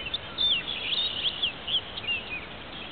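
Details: Male orchard oriole singing at twilight on May 28, 2010, at Marais Temps Clair Conservation Area, northern St. Charles County; a quick run of high, slurred, whistled and warbled notes against a steady hiss of background noise.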